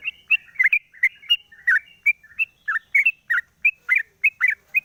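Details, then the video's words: Morning song from a caged sooty-headed bulbul with its cage cover lifted, a lure recording: lively chattering run of short chirps and warbled double notes, irregularly spaced but constant throughout. "pancingan burung trucuk di pagi hari buka krodong bunyi"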